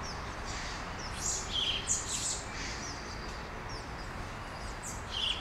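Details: Small birds singing at dawn in Brasília, Brazil: brief high chirps and short whistled notes scattered over steady low background noise.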